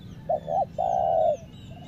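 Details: Decoy spotted dove (tekukur) used in Lombok to lure wild doves: two short, clipped coos followed by one long, drawn-out, slightly falling coo, given once over low background rumble.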